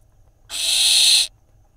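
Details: Barn owl nestling on a nest camera in Israel, 30 May 2021, mantling its prey from a sibling; one harsh, noisy hissing screech lasting under a second, steady and rushing, with a faint low hum behind.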